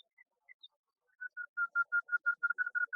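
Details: Common nightingale, said to mimic many birds: a few thin, high chips, then a quickening run of about a dozen loud, repeated mid-pitched notes.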